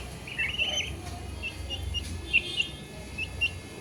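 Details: Young chicks peep softly: an opening cluster of rising-falling whistles, then scattered single high chirps spaced a few tenths of a second apart, over faint low hum.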